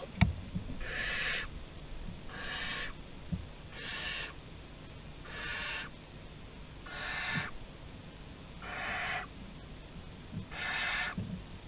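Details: Barn owls of Théding, France, 15 August 2020, on a nest webcam as prey arrives at the entrance: seven rasping, breathy hiss bursts of under a second each, repeated about every one and a half seconds over low background rumble.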